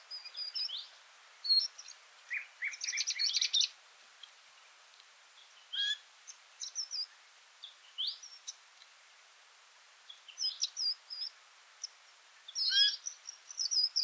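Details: Feeding party of Varied Sittellas chattering during a day's birding around Kinchina, Mannum and Ferries McDonald: scattered high thin chips and short twittering bursts in irregular clusters, separated by quiet gaps.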